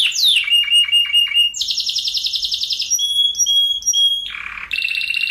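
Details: Tight-rolling Spanish Timbrado canary song for training and prompting other canaries: a swooping opening note, quick repeated notes, a dense high trill, clear sustained whistles, and a short low buzzy burst.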